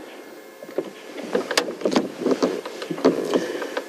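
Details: Vehicle rumble on a safari drive with scattered sharp knocks and rattles, no animal voice heard.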